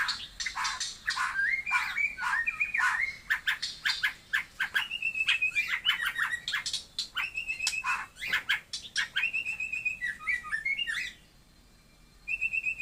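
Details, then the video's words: White-rumped shama of the Taiwan type delivering loud, fast song: sharp clicks and harsh chatter interleaved with clear whistled notes and short trills, brief pause near the end before a steady whistle resumes. "burung murei taiwan super mantapppp suara josss"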